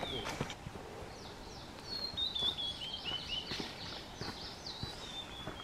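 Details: Blue-and-white flycatcher at Shuhogahara, Kobe, Japan, 30 May 2020, where a pair carrying caterpillars perched together as their chicks left the nest; faint high whistled phrases slide downward, several in a row, over steady background hum.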